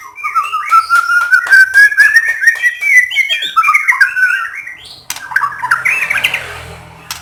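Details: Actively singing white-rumped shama, recorded to stir other shamas into song: a long, loud, steadily rising series of rapid chattering notes, then a burst of higher jumbled warbling.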